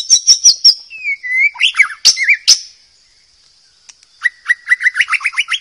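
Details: Wild white-rumped shama singing as a tutor for young birds: quick high chips, then slurred whistles and sharp notes, a brief pause, and finally a rapid series of rising whistled notes repeating about four times per second, over a faint high hum.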